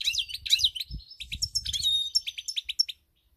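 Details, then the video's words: European goldfinch singing, recorded 7 March 2021: a rapid, loud twittering run of high chirps and liquid trills, with a few clear sustained whistled notes near the middle, ending abruptly after about three seconds. "GOLDFINCH SONG"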